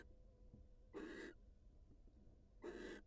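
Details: Wild female barn owl greeting her mate after leaving the nest: two short, rough hissing screeches about one and a half seconds apart, with quiet low background noise between.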